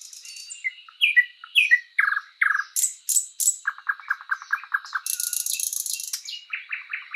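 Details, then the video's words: Singing thrush nightingale in a spring woodland: short whistled notes, strong downward slurs, a rapid series of low, evenly repeated clicks, a harsh buzzy rattle, then fast repeated chirps. "Nightingale bird singing"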